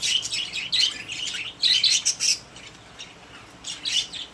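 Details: Caged pet budgies chattering in quick, high twittering notes, nearly continuous for the first two and a half seconds, then a brief lull before another chirpy burst.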